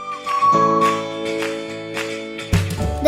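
Plucked guitar music with sustained chords and rhythmic strums; no animal sound is heard.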